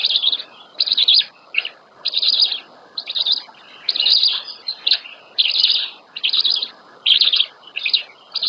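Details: Female black stork feeding chicks at the nest, Łódź region, Poland, 27 May 2020, morning feed. Rapid, high chattering bursts, each about half a second long, repeat around every second, with short gaps between.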